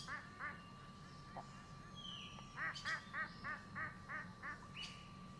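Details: Geese at a lake giving a run of about eight short, nasal honks in quick succession after a few scattered earlier calls, over a steady faint tone and soft outdoor background.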